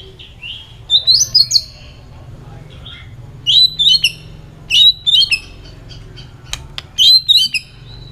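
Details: White-rumped shama in competitive, many-voiced singing: high, bright twittering phrases given in separate bursts every second or so, with a few sharp clicks between them.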